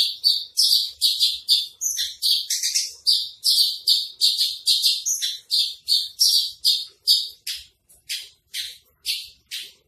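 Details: Javan bush lark singing in the trotol style: a long series of about twenty harsh, buzzy high notes, roughly two per second, later notes spaced wider and fading.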